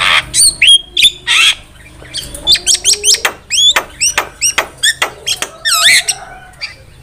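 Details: Javan myna song meant to lure birds for trapping: rapid clicks and short whistled upslurs in a chattering stream, with a rough buzzy trill near the end.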